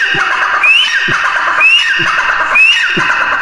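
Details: A repeated grey francolin call: a bright rising whistle that breaks into a scratchy, falling phrase, delivered three times at even, roughly one-second intervals.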